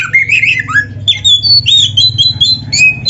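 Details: Oriental magpie-robin in full gacor song, full isian, a masteran recording meant for training other birds: varied whistles and trills jumping between phrases, some high clear notes, bright and rapid, with a faint low hum beneath.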